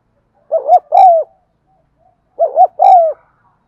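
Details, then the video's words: Spotted dove cooing, offered as a recording to get non-cooing birds to call: two low phrases about two seconds apart, each a quick double-humped note followed by a longer slurred, slightly falling coo, on a silent background. "tiếng cu thúc gù hay"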